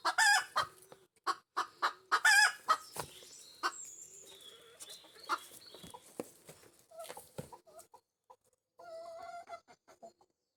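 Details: Backyard Pekin Bantam hen giving the egg laying song: two loud harsh squawks among sharp clucks early on, then scattered clicks and knocks, faint background whistles, and softer tonal clucking near the end.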